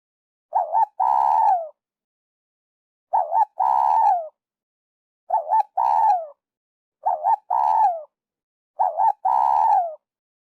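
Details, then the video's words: Spotted dove call for luring birds into traps: five clear cooing phrases, each a short wavering note followed by a longer, falling, throaty coo, repeated about every two and a half seconds in a quiet setting. "Tiếng chim cu gáy dành cho ae đi bẫy"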